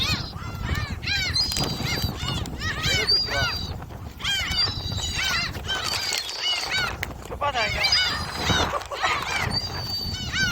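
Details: Crowd of gulls at Jebudo, South Korea, calling while being fed: rapid clusters of curving, squealing cries from many birds, interspersed with long steady wails and faint low background noise.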